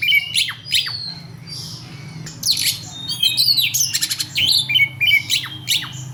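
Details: Big, long-bodied Oriental magpie-robin (kacer) singing in combat mode: loud, fast mix of piercing whistles, steep downslurs and rattling buzzy notes, barely pausing, with a faint low hum behind.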